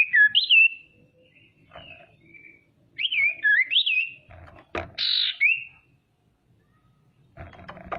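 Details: Female common iora used to goad rival birds into calling; wavering whistled phrases that rise and dip, a brief rasping buzz near the middle, then quiet with light handling noise.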